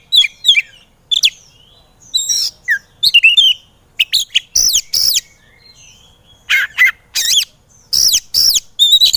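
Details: Agitated Oriental magpie-robin (kacer) in a training recording meant to make lazy birds sing: loud, varied whistled phrases and sharp upslurred notes in quick bursts, with brief quiet gaps between phrases.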